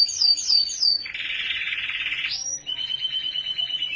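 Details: Canary singing in Norway: a few quick downslurred high whistles, then a long dense buzzy trill, a rising sweep, and a fast even rattle of repeated notes, all bright and high-pitched.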